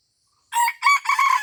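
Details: Red junglefowl crowing during a luring session at Taman Rusa, Aceh: a loud, harsh three-part crow starting after silence, a short first note, a second strong note, then a longer slightly wavering final note.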